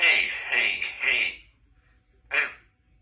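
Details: Three-year-old female Congo African grey parrot, kept at home with two other parrots, talking with a large vocabulary; favourite phrases include "Give me a kiss" and "I love you". Voice-like words for over a second, a pause, then one short sharp syllable.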